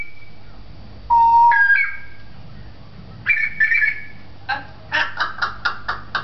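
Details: African grey parrot, a talking bird kept at a pet shop in Beit Hanina, Palestine. It gives clear, pure whistled notes that rise and fall, then a run of short, even, clipped pulses at a fast, steady beat.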